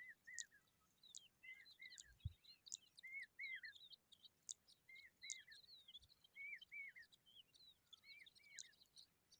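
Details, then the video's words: Eurasian skylark chicks in the sun: paired, down-slurred chirps come in quick runs, mixed with thin, sharp high notes repeated through the passage, and a soft low thump near the middle. "Skylarks bird babies in the sun"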